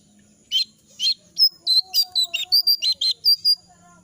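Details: Jongkangan bird in moult, shedding feathers, its voice hoarse and unable to sing in full: after a brief pause, about a dozen short, harsh, raspy notes follow in quick succession, loud over a faint low hum.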